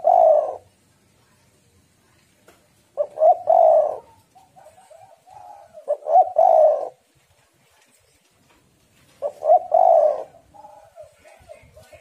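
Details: Female spotted dove, aroused, calling to lure and stimulate males; deep rolling coo phrases repeat about every three seconds, each followed by softer stuttering coo notes, in a quiet setting.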